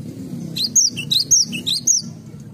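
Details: Cinereous tit in a garden singing high, clear repeated whistled phrases, about two per second, over a noticeable low background murmur.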